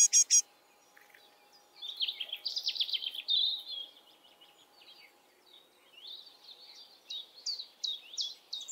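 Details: A young great tit, a sound heard from April to the end of June, gives high, thin chirps and buzzy twitters in uneven bursts. A faint steady hum runs underneath, and sharp clicks open the recording.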